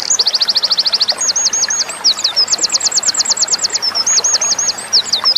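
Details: Winter Wren song for tutoring cage birds. Extremely high, fast trills of tightly repeated notes alternate with looping, bouncing whistled phrases and short tinkling twitters, all delivered in one continuous breathless stream.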